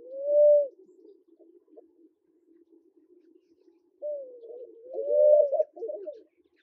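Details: Kenyan Namaqua dove gives one short mellow hoo, then after a quiet gap a longer wavering phrase that rises into a loud sustained hoo and breaks into brief stuttering notes.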